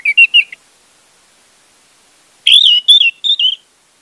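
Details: Lure song of an orange-headed thrush for a bird that has stopped singing: three short quavering whistles, a two-second silence, then a longer burst of varied, slurred whistled notes.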